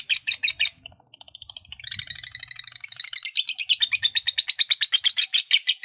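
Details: Lovebird delivering a long 'ngekek' trill of fast, crowded high pulses that starts choppy, breaks briefly, then runs steadily and loud; intended to rouse other lovebirds to sing.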